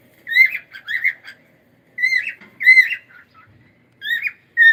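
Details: Pet cockatiel whistling warbled, slightly buzzy phrases in quick clusters, each lasting under a second, in a quiet room.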